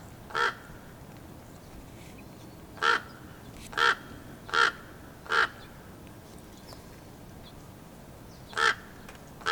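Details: Female raven talking to her mate with a string of harsh, hoarse croaks, about seven calls spaced irregularly one to three seconds apart, over faint background hiss.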